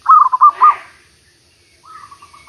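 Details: Zebra dove (merbuk) heard during bird trapping after a week of continuous rain: a soft, quickly pulsing trilled coo of several beats, then silence before a fainter second rolling coo begins.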